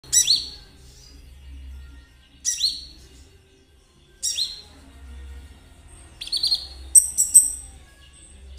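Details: Konin singing briskly as a lure for kolibri ninja, with high, sharp chirped phrases that sweep downward. Bursts come about every two seconds, and a denser twittering run follows near the end over a faint low hum.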